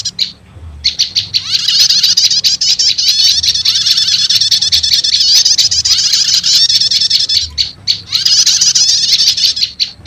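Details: Prenjak lumut lure combined with prenjak setater calls to attract wild birds: a few sharp chirps open into a long, continuous, high-pitched buzzy trill, closing with more clipped chirps.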